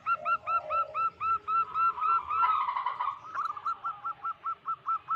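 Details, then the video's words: Wild-born local zebra dove used as a lure for trapping wild doves; rapid series of short hooked cooing notes, about four per second, broken by a dense warbled burst midway before the notes resume. "Lokal Alam gacor pancingan pikat burung perkutut Paling ampuh."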